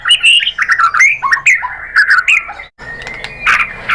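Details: Agitated white-rumped shama (murai batu) singing hard in pancingan style meant to provoke other shamas: tumbling, varied whistles and squawky notes, a short gap, then a thin drawn-out whistle with rough, harsh bursts.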